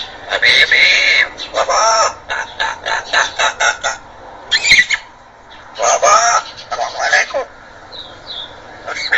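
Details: African grey parrot talking, reciting Arabic in Quran recitation style: bright, harmonic, voice-like phrases in quick bursts, with short pauses between syllable groups and a sharp click near the middle.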